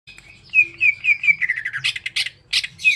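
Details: Greater green leafbird singing a series of short, slurred whistled notes repeated several times, then shifting into harsher, buzzy and rasping bursts, with a low background hum.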